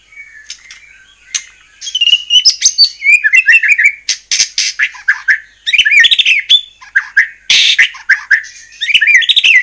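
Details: Actively singing white-rumped shama, played to goad other shamas into answering: a long, varied stream of rich whistles and sharp chips, with quick slurred phrases and short pauses, loud and close.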